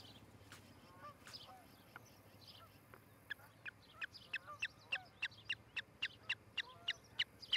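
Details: Osprey pair at their nest in Charlo, Montana, on a nest camera on the morning of July 14, 2018; scattered sharp chirps build into a fast, steady run of loud, piercing whistled notes, several per second.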